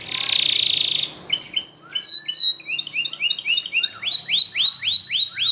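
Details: Belgian canary singing strongly: a buzzy rattling trill, then clear whistled notes and rapid rising chirps repeated about four per second, ending in a series of upswept whistles.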